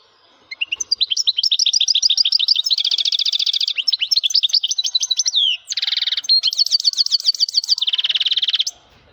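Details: Male European goldfinch singing strongly: a fast, continuous twittering run of high, bright notes, with rapid trills and two buzzy, rasping stretches near the end, lasting about eight seconds without pause.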